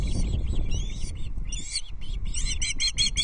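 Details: Osprey chicks on a Loch Arkaig nest, 14 June 2024, at feeding time; high, rising and falling chirped whistles, a short gap, then a quick run of sharp repeated notes, with wind rumbling beneath.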